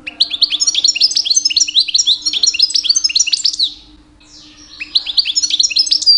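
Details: Mating-season song from a two-year-old European goldfinch calling in females: a dense, continuous string of bright high twittering notes, a falling sweep, a pause, then singing restarts.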